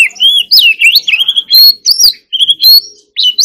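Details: White-rumped shama singing loudly in varied whistled phrases, rising and falling slurs between short sharp notes, delivered in quick bursts with brief pauses.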